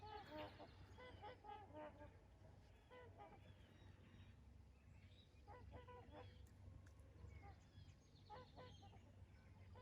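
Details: Trumpeter swans taking off at Rifle Lake on April 28, 2020: a flock gives repeated nasal, horn-like honks, several birds overlapping, over steady low rumbling and wind noise.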